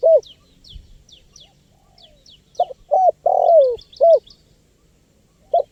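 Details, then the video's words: Spotted dove recording meant to draw in wild birds: two short coos, a long downward-sliding coo and another short note, with sharp high chirps of a small bird throughout. "SUARA LANGKA BURUNG TEKUKUR GACOR PALING AMPUH 2024 UNTUK PIKAT BURUNG LIAR"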